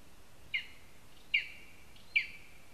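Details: Lesser spotted eagle at its nest in a spruce, Zemgale, Latvia: three short, sharp, downslurred yelps, evenly spaced under a second apart, over a soft background hiss.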